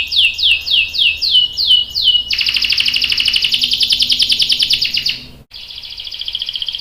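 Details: Rolling ngerol song of a canary, young male answering: a string of clear downslurred whistles gives way to a fast buzzy rolling trill lasting about three seconds, then a short break and another trill.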